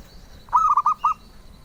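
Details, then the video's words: Single phrase from a zebra dove sought by collectors, four soft, rounded cooing notes delivered in quick succession, the last slightly set apart. "Suara Merdu Burung Perkutut"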